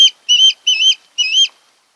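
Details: At a Kent Island, Maryland osprey nest in late August, one osprey utters three drawn-out, piercing whistled calls, each about a quarter second, spaced roughly half a second apart.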